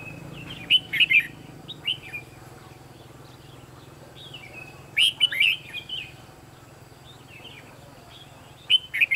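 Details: Red-whiskered bulbul singing as a decoy during a trapping contest: short bursts of loud whistled and chattering notes, repeated in phrases a few seconds apart, with softer calls between and a low background hum.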